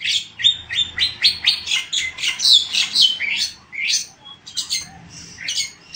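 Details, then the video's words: Black-winged myna singing continuously: a fast stream of scratchy, squeaky whistles and chattering notes, about two per second, slowing into scattered harsher notes near the end. "Burung Jalak Putih Mantap Gacor"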